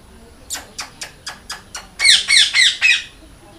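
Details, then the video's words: Loud parrot calling: a run of short, thin squawks that swells into four louder, harsher calls at the end. "Loud Parrot Chirping ll Natural Parrot Sound ll Parrot Calling Sound"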